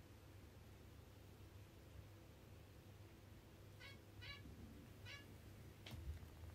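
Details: Pet zebra finch coming over to be massaged with food still on its beak, giving three short nasal harmonic calls in quick succession over low steady room hum, followed by a sharp click.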